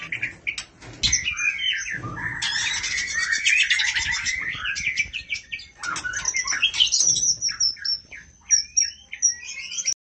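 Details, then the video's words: A female murai calls her mate in a loud, jumbled outpouring of buzzy trills, slurred whistles and crisp high chirps, almost continuous with a short lull near six seconds. "burung murai betina memanggil jantan"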